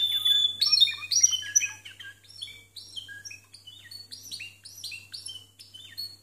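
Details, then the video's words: Discontinuous Timbrado song from canaries scoring 92 and 93 points, with admittedly rough recording quality. A loud opening burst of bright chirps and trills fades into quieter, rapid repeated high notes, with a faint low hum throughout. "TIMBRADO DISCONTINUO CON 92 Y 93 PUNTOS"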